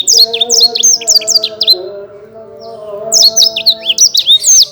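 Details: Champion caged Black-throated canary from Bekasi, Indonesia, singing vigorously: rapid bursts of high, sharply slurred chirps and downward-swept notes, a quiet gap near the middle, then another fast run; faint low steady tones underneath.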